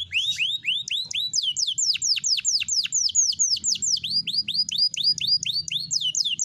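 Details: A green canary in sustained song. Rapid, high, sweeping notes curve downward and repeat about twice a second in a long, steady, ringing trill with faint low background hum.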